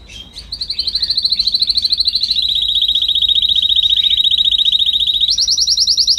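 A canary sings long, rapid trills, each a steady buzzy rattle near one high pitch, stepping abruptly higher near the end; nothing else is heard.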